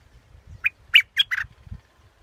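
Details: Scarlet-backed flowerpecker uttering four sharp, harsh chips in quick succession, the last one longer and buzzier, with faint low rumble behind.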